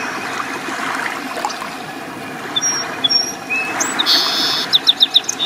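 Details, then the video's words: Song sparrow singing from the end of a large beached log on the shore at Neck Point Park in the morning: a few high clear notes, a buzzy stretch, then a quick trill of repeated notes. Steady lapping water and shore noise underneath. "Song Sparrow Sings"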